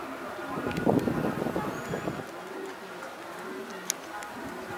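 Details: Domestic pigeons kept for the pigeon-flying hobby in Kabul, Afghanistan: a burst of low, throaty cooing over about a second, then softer murmurs amid urban background hum and a faint voice.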